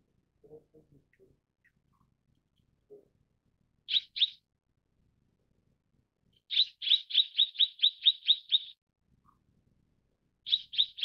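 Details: Mrs. Gould's sunbird delivering high, clipped chirps: a pair of notes, then a fast run of about ten evenly spaced chirps, then another short pair, with a few faint low knocks early on.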